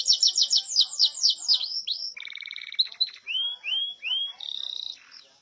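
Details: Canary song recorded as a master for training other birds: fast descending trills, a buzzy rattling roll, then a series of rising slurred whistles and a steady high trill, clean and loud.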